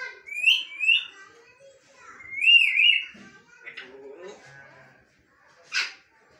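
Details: Bonded pair of talking African grey parrots indoors; bright warbling whistles slide up and down in paired phrases, followed by softer mumbled chatter and a short sharp squawk near the end.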